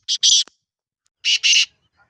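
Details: Two harsh phrases from a black francolin, each a short rasp followed by a longer grating note, separated by about a second of silence.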